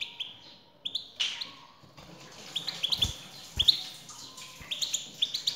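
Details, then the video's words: European goldfinch male singing after a female calls: sweet high chirps give way to a dense, tinkling twitter with quick trills, plus occasional soft knocks. "حسونك سيغرد مع هده البثبثة Goldfinch singing"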